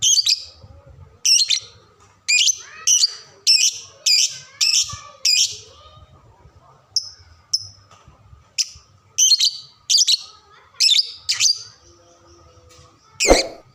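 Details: Lovebird song used as a tutor for young birds learning to sing, made of a quick run of piercing high squeaky chirps about every half second, a pause with softer notes, then more clipped bursts and a final harsh broadband squawk.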